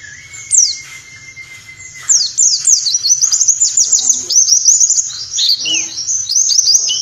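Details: Pleci white-eye, 'nembak' style tutor song for caged birds, meant for morning play during dewfall: a long, high, thin whistle, then fast, dense sliding chirps over a faint low rumble.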